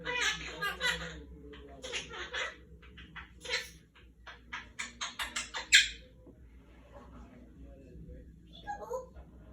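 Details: A monk (Quaker) parakeet talking in its room, playing peek-a-boo, chatters in a high, raspy, childlike voice, with quick bursts of word-like phrases and a few sharp squawks over a low indoor hum.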